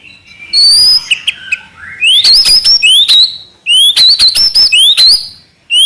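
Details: White-rumped shama in trotol-style song: very high, thin rising whistles repeated in quick clusters, separated by short pauses, with faint fluttering in the background.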